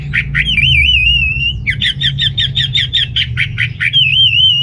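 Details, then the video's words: Orange-headed thrush singing energetically, used to prompt males with low breeding drive: a long sliding whistle, then a fast run of sharp repeated notes, nearly three a second, ending in another wavering whistle; low hum underneath. "ANIS MERAH Gacor"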